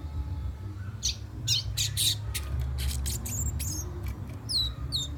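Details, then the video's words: Whistling young fire red in Guyana, South America: a burst of rapid high chirps and short slurred notes packed close together, ending with several descending whistled notes, a constant low rumble underneath. "Young fire red whistling"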